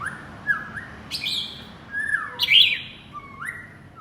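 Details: Male white-rumped shama calling its partner with spaced, mellow whistles: a flat note, a bright higher whistle, a descending slur, a loud high squeaky note, then a final rising whistle. Quiet background.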